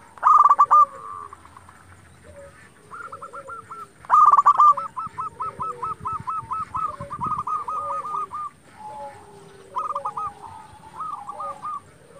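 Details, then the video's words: Local zebra dove singing strongly as a lure for rival doves: loud stuttering opening bursts followed by long chains of quick, evenly repeated coo notes, with softer dove calls answering in the background. "Perkutut lokal gacor Sekali Putar Lawan Pasti Emosi Langsung Nyaut"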